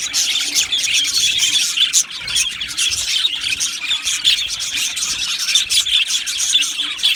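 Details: Aviary of budgerigars producing a constant high chatter, countless short chirps and warbled notes overlapping, occasional sharper squawks standing out.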